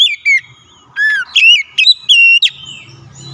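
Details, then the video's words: Oriental magpie-robin singing, used to provoke a reluctant bird to sing: a rapid series of loud whistled notes, some swooping down, others flat and ringing, each lasting a fraction of a second. "kicauan nyaring pancingan ampuh Kacer malas bunyi langsung gacor"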